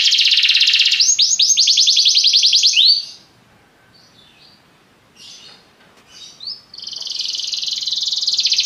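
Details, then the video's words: Belgian canary delivering a rapid rolling trill with a few sweeping notes, falling quiet for about two seconds apart from faint soft twitters, then resuming a fast high trill. "Canários belgas atraem o som das canções preguiçosas dos canários"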